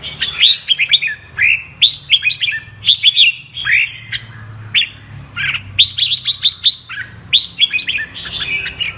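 A red-whiskered bulbul sings lively, bubbling whistled phrases that roll up and down in quick bursts, one after another, with only faint low background hum.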